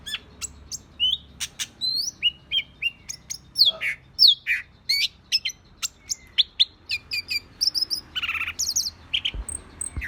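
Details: Agitated green leafbird (cicak ijo) pours out a dense, rapid sequence of high whistles, sweeps, chips and a few harsh rasping notes, nearly continuous throughout.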